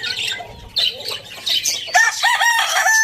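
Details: A rooster crows in the morning, with a loud, harmonic, wavering crow filling the last second, preceded by quick, bright chirps and twitters from small birds nearby.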